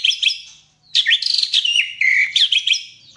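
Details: White-rumped shama in full, lively song: rapid high whistled and slurred notes in two dense bursts separated by a brief pause, with sharp rising and falling sweeps.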